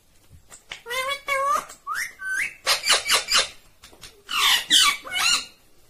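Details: Indian ringneck parakeet talking, a green parrot: a run of whistled, tonal syllables with rising and falling pitch, then bursts of harsh, speech-like sounds, indoors.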